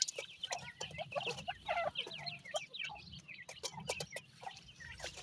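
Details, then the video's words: Grey francolin chicks, kept birds, giving many thin high cheeping and chirping calls in rapid irregular succession, with a few lower clucking notes mixed in. "grey francolin birds k goray bachay,titur chicks"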